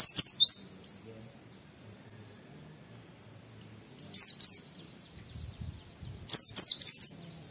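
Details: Thin, sharp wit-wit whistles of a white-eye, a recording used to lure other white-eyes into song: one phrase at the start, a shorter pair near four seconds, then a longer burst near the end; low rumble between.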